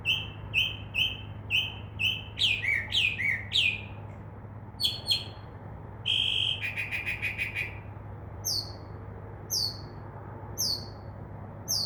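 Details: Night-singing mockingbird outside a window, an imitator of crow caws and dove wing noise; varied phrases of repeated chips, swooping notes, a buzzy rattle and high thin downslurred whistles, switching every few seconds.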